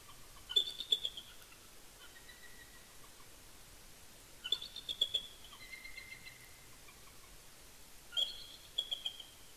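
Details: A bald eagle pair calls together at midnight at their nest at Big Bear Lake, California, on a windy November 25, 2019, ahead of a snowstorm. Three bursts of high, thin chittering notes come roughly every four seconds over steady background hiss.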